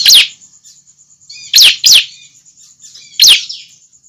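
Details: Calls of a young bar-winged prinia, played to draw other prinias close: four piercing, steeply falling chirps in four seconds, two of them in quick succession. A faint constant high tone persists in the background.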